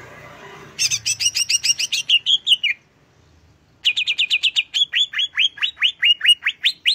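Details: Greater green leafbird, soft murmuring background giving way to rapid chattering doubled chirps, a drawn-out descending slur, a brief pause, then a fast trill and a series of rising, whip-like whistles.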